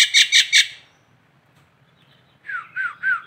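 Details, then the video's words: Three loud, harsh, buzzy squawks from a local Nias hill myna in Indonesia, a brief silence, then three softer swooping whistled notes. "masteran jalak Nias lokalan aja"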